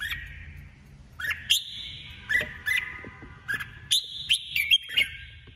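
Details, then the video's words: Female red-whiskered bulbul kept as a decoy bird, singing competitively in 2021: a series of short, bright whistled phrases with sharp rising and falling notes, given in quick irregular bursts over a soft low background rumble. "Chào mào hót đấu 2021| chào mào mồi 2021 | chào mào mái"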